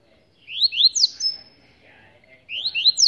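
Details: Short phrases of ascending slurred whistles from a caged rusty-collared seedeater held by hand, two phrases in quick succession over a clean background.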